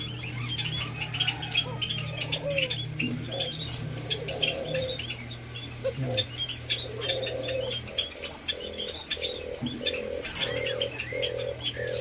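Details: White-eared brown dove, locally called alimukon, being tamed; a series of low, evenly spaced hooting notes repeats about twice a second in the second half, over constant electrical hum and busy high chirping from other small birds.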